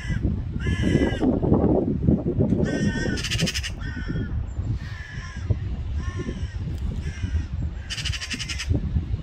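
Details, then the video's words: Magpie giving harsh, grating calls in short bursts of stacked tones, several close together, over a steady low rumble of background noise. "Magpie Call - magpie sound - magpie song - magpie"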